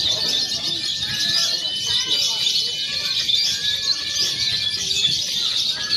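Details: Lovebirds in a contest simulation used for pre-competition training: steady, buzzy, high twittering with faint thin whistles riding on top, the chorus holding an even loudness.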